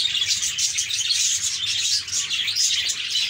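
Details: Several budgerigars chirping, shared to encourage quiet parakeets to sing; busy high warbling chatter with quick squeaky notes and short whistles, many birds calling at once.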